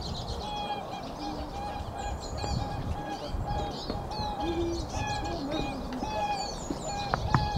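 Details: Swans on spring migration, a flock giving repeated trumpeting honks, several birds overlapping in steady bursts, with thin chirps of small songbirds above and a constant rural background rumble.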